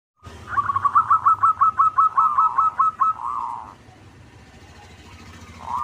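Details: Local zebra dove singing: a rapid string of about a dozen short, bubbly cooing notes at an even mid pitch over three seconds, then a fading trill, with a low hum underneath.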